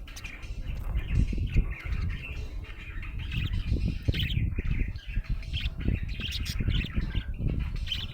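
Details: Happy budgerigar chattering nonstop in raspy, bubbling warbles and squeaks, partly covered by heavy low rumbling and handling-like noise.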